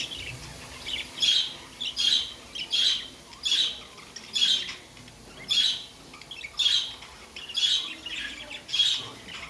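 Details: Pet budgerigars calling: harsh, high squawks repeated steadily about every seven tenths of a second, each short and bright, over a faint steady background hiss.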